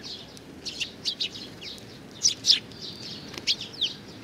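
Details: Young sparrow recorded in Japan, June 2019, giving high, thin chirps in small clusters, some short downward-sliding notes, over a steady low background hiss.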